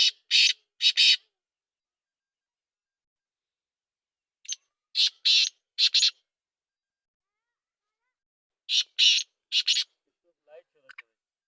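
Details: Black francolin, known locally as kala teetar, giving harsh, grating calls: clusters of three or four rasping notes about one second long, repeated roughly every four seconds with silence between, and a faint short note near the end.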